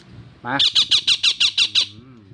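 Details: Ringneck parakeet calling for its friend of a different species, giving a rapid run of eight harsh, screechy squawks at an even pace after a rough onset, with a low hum and murmur behind.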